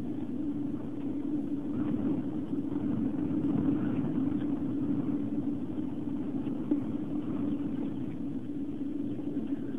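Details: Steady low rumble like wind or passing traffic at an osprey nest on Long Island, New York, with no animal calls standing out.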